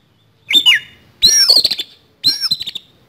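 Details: An oriental magpie-robin fighting, with coarse fill-in phrases: three quick raspy outbursts within about three seconds, mixing shrill whistled slides with scratchy, stuttering notes.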